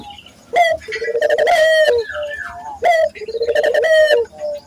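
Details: Vigorously cooing local Barbary dove, used as a lure to train local doves: two rounds of a sharp rising note followed by a long, low rolling coo, about two seconds apart.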